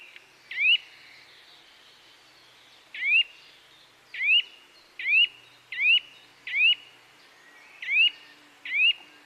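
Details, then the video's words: Chirping bird heard outdoors, repeating a quick up-slurred whistle nine times, first sparse then in a faster cluster of closely spaced notes, over a low hiss. "Birds Chirping Sounds"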